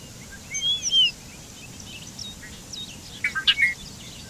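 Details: Bobolink song: a pair of high slurred whistles opening the phrase, then scattered soft notes and a burst of quick, tinkling, bubbly notes near the end, against a faint hiss.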